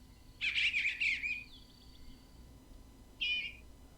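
Eastern Bluebird: a raspy, warbling phrase of about a second that rises and falls, then a brief matching note after a pause, over faint hiss.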